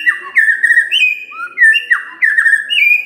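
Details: Loud, melodious white-rumped shama song for a morning lure meant to get quiet birds singing: repeated bright whistled phrases, each starting high and dropping, delivered in quick succession with short pauses.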